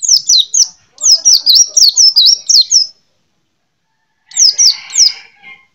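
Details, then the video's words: High, rapid twittering from a kept white-eye: a run of about ten sharp descending chirps, a silence, then a shorter burst of three or four notes. "Burung Pleci Mantap Neeh"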